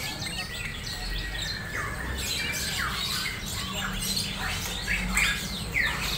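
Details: Sooty-headed bulbul, a tame bird described as a keen, persistent singer, gives short sweeping chirps and harsh squawky notes at uneven intervals, set against a steady low rumble of background noise.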